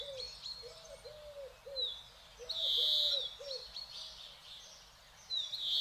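European greenfinch giving high twittering notes and a long, drawn-out nasal wheeze, with a soft low cooing repeated behind.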